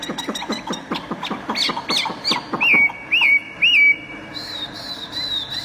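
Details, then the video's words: Tame caged Chinese hwamei singing at its own reflection in a mirror because it has no rival at home: rapid run of repeated sharp notes, then loud looping whistled phrases and a long high sustained whistle. "Chim thuần 100% sách tay hót,Ở nhà ko có đối thủ nên phải cho soi gương"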